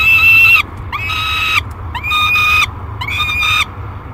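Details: Peregrine falcon chick, 30 days old, calling a lot in its nest box at Great Spirit Bluff in July 2021: four drawn-out, nasal, wailing screams separated by short pauses, over a low background hum.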